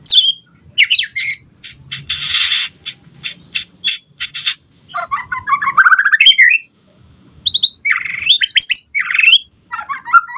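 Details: White-rumped shama song for provoking other birds to reply: scratchy noisy bursts and clicks, then rising trilled runs and whistled phrases, the bursts varied and separated by brief pauses.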